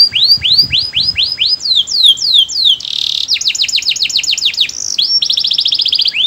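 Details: Loud melodious canary song with rows of rising-falling whistled notes, a short buzzy burst, then fast rattling trills of sharp high notes repeated in quick succession.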